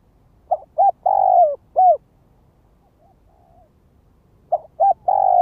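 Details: Spotted dove lure calling: a four-note phrase of short coos, a long drawn coo and a falling end note, a pause, then the phrase starting again.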